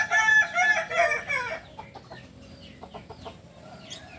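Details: Crow of a Kukuak Balenggek chicken from Solok, West Sumatra: a loud, rich, segmented phrase of several linked syllables lasting about a second and a half, then fading into faint background chirps and rustling.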